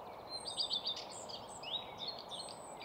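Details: Common redstart singing at Nysved, Norra Järvafältet: a brief, high jingle of quick twittering notes, then a thin rising whistle, over a steady hiss; background birds include Blue tit, Black-headed Gull, Willow Warbler, Chaffinch, Lapwing and Song Thrush.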